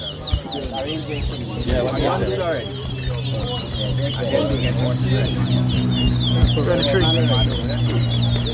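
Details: At a 2023 towa towa whistling competition in New Amsterdam, Guyana, the birds keep up fast high chirping whistles, repeated rapidly, while men talk and a steady low electrical hum drones throughout.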